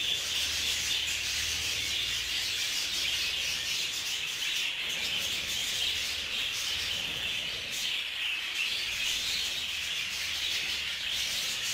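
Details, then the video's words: Group-housed budgerigars in an aviary, fighting among themselves, keep up almost twelve seconds of constant shrill chatter: rapid chirps, squeaks and warbles from many birds blended into one dense sound. "اشتباك حقيقي بين طيور البادجي"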